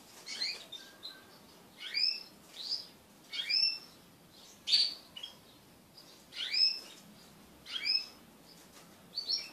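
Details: Crested canaries, kept as pet birds, mating as a group. Short, loud, high chirps and double twitters repeat at uneven intervals of about one to two seconds.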